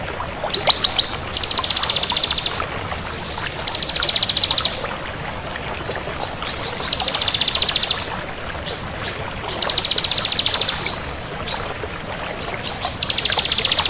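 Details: Bar-winged prinia of the kristal type singing at full pace. Dense, buzzy, very high trill bursts of about a second recur every two to three seconds against a steady hissing background.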